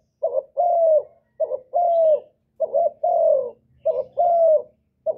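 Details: Spotted dove singing loudly to stimulate kept doves: four clear phrases of a brief rising note and a long, gently falling coo, evenly spaced about every second, with a faint low hum underneath.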